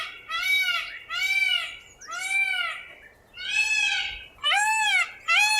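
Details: Indian peafowl screaming: loud, harsh, nasal wails, each about half a second long with an arched rise and fall, repeated roughly once a second in a run of six against a quiet background.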